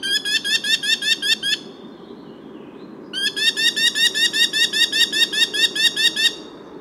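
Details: Merlin from Córdoba giving rapid series of harsh, high kek notes, about six per second, in two bursts of roughly ten and twenty notes separated by a brief pause, over a low steady background hum.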